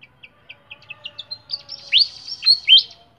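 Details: Kept in a cage, a flycatcher gives a row of short, evenly spaced high chips that quicken, then three loud upward-sweeping whistles over a soft buzzy trill.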